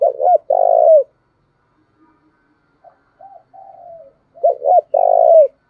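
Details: Lure spotted dove cooing to stimulate wild doves to call. A loud phrase of two short notes and a long coo, a quieter stretch of faint coos, then the same loud phrase again.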